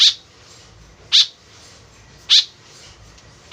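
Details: White-breasted woodswallow lure call: four loud, buzzy, clipped notes, roughly one every second and a bit, with low background noise.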